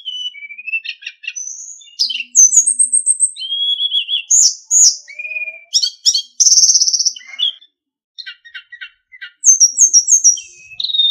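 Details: Sulingan singing on a training master for captive songbirds: clear slurred whistles and rising notes, high chatters and a dense buzzy trill, then a brief silence before more sharp chips and a whistle.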